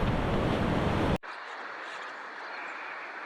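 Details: Heavy wind buffeting and surf roar for about a second, then an abrupt cut to a softer steady hiss, with no animal calls.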